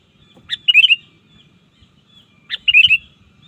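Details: Two bubbly phrases of sooty-headed bulbul song used to lure rivals in the wild, each a sharp rising note then a quick rolling whistle cluster, two seconds apart, over a low clattering background.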